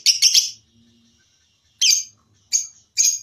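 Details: Lovebird voice from a mastering recording that trains birds for singing contests: a rapid triple burst of high chirps, a pause, then three single sharp chirps spaced well apart.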